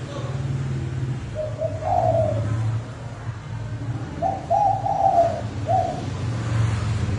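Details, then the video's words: Spotted dove used as a decoy, fast, strong lure call to provoke wild doves: two soft mid-pitched cooing phrases, the second a run of three linked coos, over a steady low hum. "Tiếng Chim Cu gáy mồi thúc bổi tốc độ cực mạnh"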